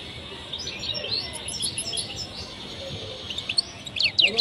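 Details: European goldfinches mating in a cage in Tunisia: bright, high twittering notes and quick tinkling chirps growing louder and busier, over a faint background hiss.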